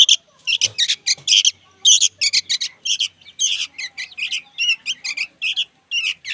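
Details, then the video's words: Young sooty-headed bulbuls calling noisily: a rapid series of short, harsh, scratchy chirps in quick bursts, separated by brief gaps, fairly steady throughout. "SUARA BURUNG ANAKAN KUTILANG PALING RIBUT BERBUNYI"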